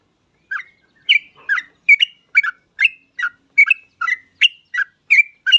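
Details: Yellow-vented bulbul (trucuk) giving an energetic song meant to spur other bulbuls to sing fast. After half a second of silence, crisp, bubbly chirps follow in a rapid, steady series, with no other sounds.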